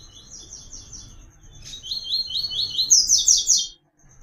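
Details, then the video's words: Song-training recording of a double-collared seedeater (papa-capim, coleiro) in the 'Tui Tui' style: fast, high, buzzy repeated chevron notes climb into a louder, higher trilled burst before stopping abruptly, over a faint low rumble. "PAPA CAPIM CANTANDO MUITO"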